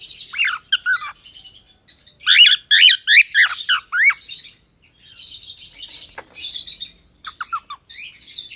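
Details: A gray cockatiel chirps in quick bursts of high, rasping notes that rise and fall.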